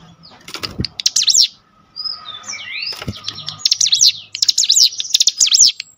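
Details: Excited Cinereous tit responding to a lure recording: a high buzzy burst, then warbling swept whistles, then a long run of rapid repeated zigzag notes, with occasional loud clicks and a low hum.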